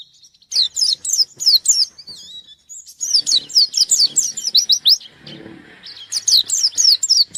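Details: White-eye singing hard while seeking a rival: rapid bursts of high, sharp, downslurred chirps and trills, broken by short pauses, with a quieter twittering passage midway.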